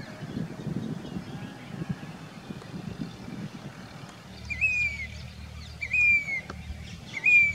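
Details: Grey-bellied cuckoo, a summer migrant, singing in Rajasthan, India. Low rumbling vehicle-like noise fills the first half. Then three clear, slightly rising whistled notes arrive about every one and a half seconds.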